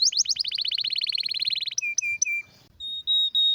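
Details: Canary delivering a rare, strong training song: a fast rattling trill of repeated notes, a few lower two-part whistles, a brief pause, then long pure whistled tones.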